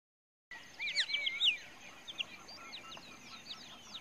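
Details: Pied Kingfisher in Kruger Park gives sharp, high chirruping notes: a burst of loud twitters, then scattered quicker squeaks. A steady high insect-like hiss runs underneath.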